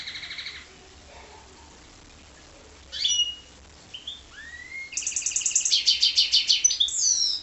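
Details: A goldfinch × canary cross sings a short trill, then pauses before a brief burst and a rising slurred whistle, and ends with long, loud, rapidly repeated high trills and twittering notes.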